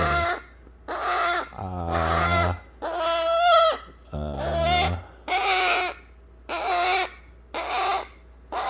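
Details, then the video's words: Baby eclectus parrot kept indoors, begging to be held after eating baby food: drawn-out nasal, wailing cries with rich harmonics, some long and wavering, repeated roughly once a second. "안아달라고 보채는 뉴기니아앵무새 애기 소리 들어보셨나요?"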